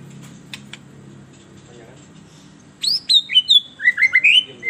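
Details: Agitated White-rumped shama singing, a song used as a lure for kept shamas. After nearly three seconds of quiet room hum, loud clear whistled notes begin: sharp downslurs and rising phrases, quickly varied and fast-paced.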